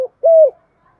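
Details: Spotted dove with a native-type voice, cooing to stir a decoy bird; one smooth, level coo lasting about a third of a second, followed by silence.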